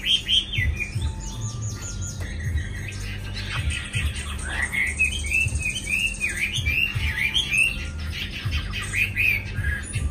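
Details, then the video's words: Chinese hwamei kept in a cage in Hanoi, recently arrived and still short of full fire, pours out a lengthy varied song of high, wavering whistled notes and rising swoops, with low hum underneath. "Mi mới về cb5668 hót lai dai hay chưa căng lửa"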